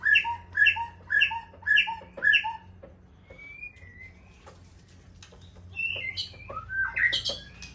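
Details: Caged white-rumped shama of the Aceh type: five loud, evenly spaced two-part notes about every half second, a pause with soft whistles, then a rising flourish of sharp notes.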